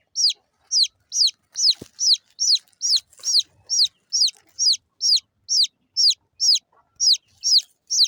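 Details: Small chicks keep up a rapid, regular chirping: around eighteen shrill, falling peeps about twice a second, with one brief click partway through.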